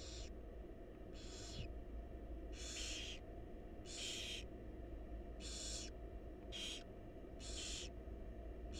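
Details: Begging hisses from wild barn owl chicks being fed by their mother in a research nest box: eight broad, rasping shrieks follow one another roughly once a second above constant low background noise.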